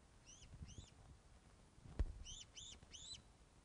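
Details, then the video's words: Ospreys calling at their Loch of the Lowes nest, 21 August 2012 at 16:35, during a fish delivery seen on webcam. A pair of arched whistles is followed by a quick run of three, with a sharp knock between them. "Loch of the Lowes Ospreys 21 August 2012 16.35hrs - Fish Delivery"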